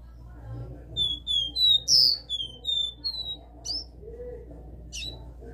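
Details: Capped seedeater, a caged bird, in classic three-note song: clear whistled notes stepping between pitches, a short sweet series with a louder high note near the middle, ending in brief sharp chips; low background hum.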